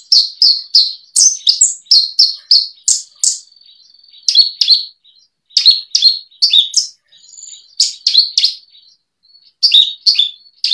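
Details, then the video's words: Javan bush lark song from a 2022 tutor collection for training kept birds: bright high whistled and chirping notes in quick bursts, pauses near four and seven seconds, then more rapid twittering phrases. "Kumpulan masteran burung branjangan"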